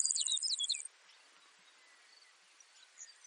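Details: Baird's sparrow singing a brief, very high, buzzy trill with a few sliding notes beneath it, lasting under a second, followed by faint background hiss and distant chirps.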